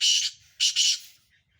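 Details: Harsh, grating double notes from a Sindhi black francolin among five birds competing. A long raspy syllable comes first, then a pair of shorter scratchy ones, fading into quiet.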